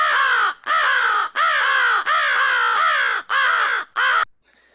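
American Crow giving six loud, harsh caws, each about half a second long, in a quick uneven series with short gaps between.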